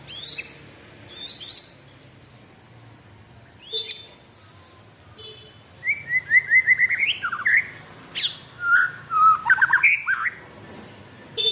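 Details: Caged white-rumped shama singing actively: high scratchy chatter bursts at the start, then a rich run of loud, rapidly changing whistles, warbles and trilled phrases, with sharp high notes scattered through a quiet background.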